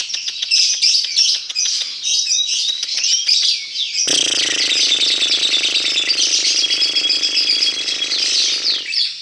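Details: Lovebird 'paud' lure recording to make birds sing: fast shrill chattering throughout, joined halfway by a steady low buzzing hum beneath the birds.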